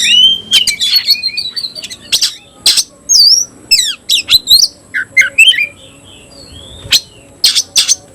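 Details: Kacer, or oriental magpie-robin, of the tayoraky variety, caged, giving harsh squawks, sweeping whistled notes and sharp clicks in separated bursts.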